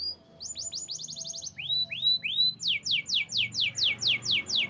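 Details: Canary song: a fast trill of high downslurred notes, then three slurred arched whistles, then a loud run of repeated descending sweeps about three per second, each bright and ringing, over a quiet low background hum.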